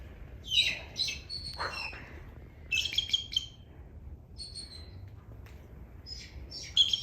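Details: Captive bald eagles at a Central Florida raptor rehabilitation sanctuary give thin, high chattering whistles in short bursts of rapid notes, pausing between volleys, over a quiet hum; possibly wanting their lunch.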